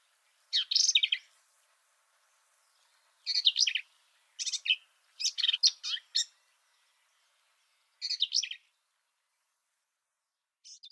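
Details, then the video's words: Black-capped Vireo song recorded at Kickapoo Cavern State Park, Texas: short, varied bursts of squeaky, chattering notes, each phrase under a second, separated by pauses of one to two seconds. "Black-capped Vireo"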